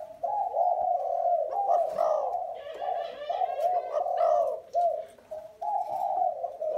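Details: Spotted doves of Thai and Vietnamese lines. Steady, low, rolling coos overlap almost without pause, with a few faint higher chirps above.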